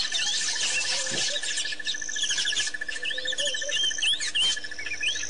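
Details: White-fronted bee-eaters at a waterhole in Botswana, 9 October 2007: a chorus of short, rising and falling chirps and trills overlapping throughout, over a steady high insect drone and a low continuous hum.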